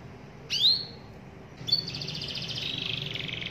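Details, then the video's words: Canary singing to call a rival into song: one bright rising whistled note, a short pause, then a sustained buzzy rolling trill that runs to the end. "KENARI GACOR MEMANGGIL LAWAN AGAR IKUT BUNYI"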